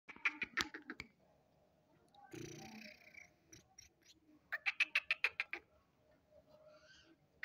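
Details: Black francolin (kala teetar) calling: two bursts of rapid, harsh, rhythmic notes, each a run of about eight pulses lasting roughly a second, separated by a stretch of broadband rustling noise.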